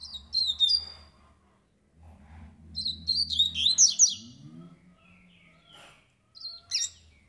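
A double-collared seedeater sings three short bursts of high, quick, slurred whistles and buzzy notes, separated by pauses, over a steady low hum.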